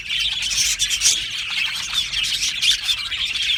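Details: Many budgerigars in an aviary colony, Australian parrots, chirping together in a steady, shrill, overlapping twitter with occasional louder squeaky notes.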